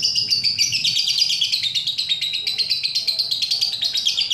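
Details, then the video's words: Lovebird ngekek song, used as a training recording to provoke other lovebirds into long singing: a continuous, high, dense chatter of rapid buzzy notes that runs without a break, with a faint low hum underneath. "mancing lovebird ngekek"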